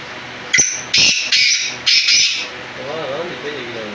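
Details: Black francolin giving its rasping call, four harsh grating phrases in quick sequence, followed by a brief murmur of speech at the end.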